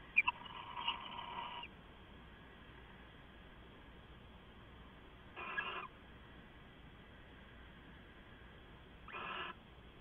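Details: Owl at night, 2 September 2014, heard on a live nest camera: an opening drawn-out rasping screech with sharp clicks, then two shorter hoarse hissing bursts about four seconds apart, steady low hum throughout.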